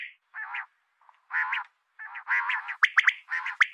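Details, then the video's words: A female common quail calls in a string of short, buzzy, rasping bursts, some brief and some drawn out. Several sharp, higher clicking notes come near the end, and the background is quiet. "Common quail Calling | Female Quail sounds"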